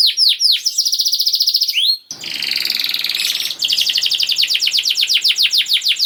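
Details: Canary song used to prompt silent canaries to sing: fast trills of repeated high chirps, with a buzzy rattling section in the middle, then rapid high rolling notes.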